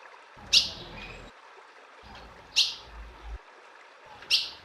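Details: Ultramarine grosbeak female giving calls meant to stir up a male; brief piercing high chips spaced roughly two seconds apart, with soft low rumble in the background.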